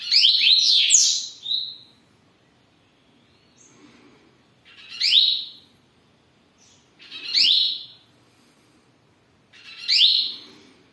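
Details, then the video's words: Caged double-collared seedeater singing at home: a long opening phrase of bright, rapid upslurred whistles and chips, then short sharp rising notes repeated about every two and a half seconds, with quiet gaps between. "COLEIRO MENINO BOM REPRESENTANDO EM CASA"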